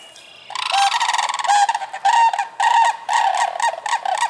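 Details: Sandhill cranes in Michigan between March and June give loud rolling, rattling calls in bursts of about half a second, repeated in quick succession and rising and falling in pitch.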